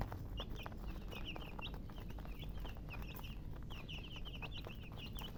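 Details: Baby chicks chirping continuously, many high, short downward-sweeping peeps overlapping in quick succession, with clicking and rustling and a steady low rumble beneath.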